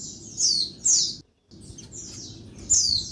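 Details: High, piercing, downslurred chirps from a female Oriental white-eye calling in daytime to urge males to sing, two quick notes, a short silence, then more chirps over soft hiss.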